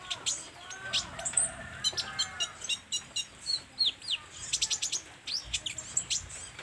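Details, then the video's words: Olive-backed sunbird in full song, giving a busy run of high, clipped chips and quick rising and falling squeaky notes. Fainter lower twittering sits underneath. "SUARA BURUNG KOLIBRI NINJA GACOR"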